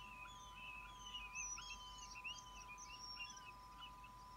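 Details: Wild northern goshawk fledgling that has already left the nest, back to snatch food: a rapid run of short, high, arched squealing notes overlapping one another, over a steady electrical hum.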